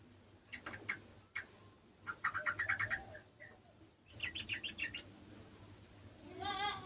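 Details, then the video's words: Sooty-headed bulbul from a garden, joining an untrained bird's calls: clipped chirp bursts, a rapid stuttering run of notes, another chattering cluster, then a drawn-out bleating cry closing the recording. "TRUCUKAN KEBON ikutan bunyi burung trucukan bahan"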